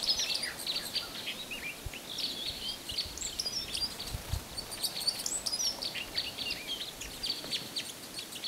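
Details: Red crossbills, probably but not confirmed Type 3, in Bayfield County on 9 March 2018: several birds give a steady overlapping chatter of sharp, high kip notes with no pause, over faint low background rumble.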